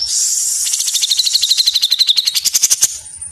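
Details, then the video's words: Black-headed bulbul song used as training material for caged birds: a fast run of sharp, repeated chirps at about four per second, with a high buzzy tone at the start and a dense ticking trill toward the end. "Masteran Cucak Jenggot Gacor Mesetan Rapat"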